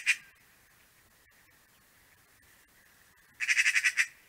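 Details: Eurasian magpie at a garden bird feeder in a snowy early winter, late November 2023: one harsh squawk, a pause, then a fast rattling chatter of about seven dry, grating notes in under a second.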